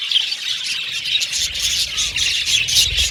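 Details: Budgies in an aviary colony squawk and chirp together, harsh squeaky notes mixed with quick twitters, a faint low rumble underneath in the second half.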